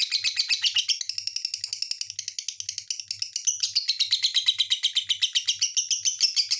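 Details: Lovebird in a busy, rattling song of rapid high chirps and squeaks, about four notes a second, with brief louder shrill bursts mixed into the steady chatter.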